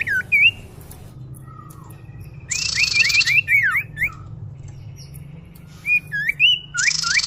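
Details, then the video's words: Lure call of the common iora, used to attract birds: clusters of quick, curving whistled notes and downslurs, separated by quiet gaps, with brief bursts of broadband buzz. "suara pikat burung sirdum/sirtu/cipoh"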